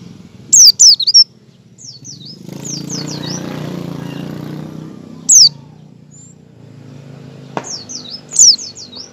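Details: High descending whistles from an oriental white-eye in ngecal style, learning ngalas, used as a lure for other white-eyes: a quick pair of loud notes opens, then soft twittering, single strong notes and a final burst of chirps over background rumble.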